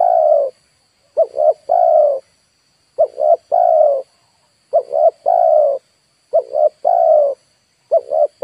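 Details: Spotted dove used as a decoy to lure wild birds in Indonesia, giving its three-part coo: two short, rising-falling notes then a longer drawn-out coo, repeated about every one and a half to two seconds. A faint steady high tone sits in the background.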